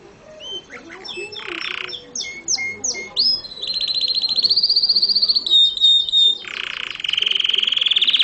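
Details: Canary singing in Morocco, 2012, with a cage mentioned: a varied song of buzzy rolls, short repeated high notes and long, rapid, ringing trills held at a steady high pitch, close and loud with little background.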